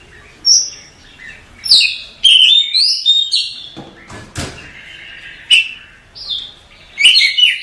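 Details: Oriental magpie-robin masteran song: scattered whistled phrases and sweeping slurs separated by short pauses and a few dry clicking ticks.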